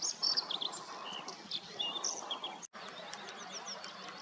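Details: Bluethroat on 22 May during morning rain, singing beside water with grebes and coots nearby: rapid sequence of thin high whistles, trills and short chirps, pausing briefly, against steady rainfall noise.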